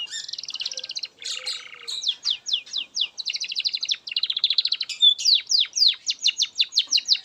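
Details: Canary song as master material for young canaries: buzzy rapid trills give way to clear downward-sweeping whistles repeated in quick series, ending in loud bright descending notes.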